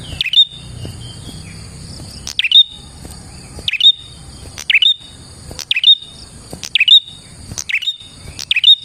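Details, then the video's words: Prinia song used for luring prinias: bright, clipped chirps with a falling sweep and a short whistled tail, coming in uneven bursts against a constant high ringing tone. "KICAU BURUNG PRENJAK GACOR ini Manjur untuk PIKAT PRENJAK dan PANCINGAN PRENJAK KLAWU"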